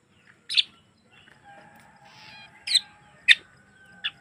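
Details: Javan myna song used as a lure for other mynas: a few loud, sharp, squeaky notes separated by gaps, with a soft buzzy murmur and faint steady tone behind.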